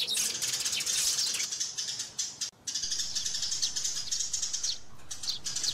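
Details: Sparrows calling and squabbling, with busy overlapping high chirps that break off briefly near the middle, then resume in a rapid twittering stream.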